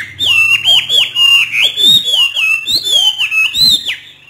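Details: Hwamei kept in a cage in northern Vietnam, singing the free 'hót thả' style: a continuous stream of strong, rich whistled notes that swoop up and down in quick succession, with few breaks.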